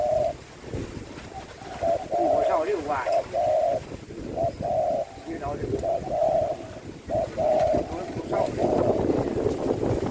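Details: A Spotted Dove at a home in Ubon Ratchathani province, Thailand, coos in repeated soft, mellow phrases of two or three notes, several times across the clip, while a man talks quietly in the background.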